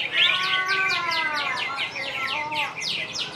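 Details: Greater green leafbird at a practice singing contest in Serasam Sekura, perched steadily in one spot. A rapid, dense run of bright, slurred whistles and chirps repeats several times a second, with faint voices in the background.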